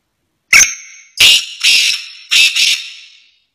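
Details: Partridge singing inside a car: four loud, harsh, grating notes in quick succession, high-pitched and rasping, over quiet surroundings.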